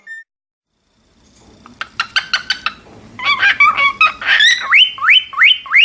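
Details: After a moment of near silence, a cockatiel builds from rapid clicking pulses into mixed chattering notes, ending with a string of bright upward-swooping whistles repeated about every half second.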